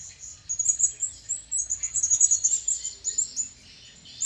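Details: A wild blue-crowned hanging parrot draws near, uttering a busy, continuous stream of high, squeaky chirps and twitters that rise and fall in loudness over a faint background hiss.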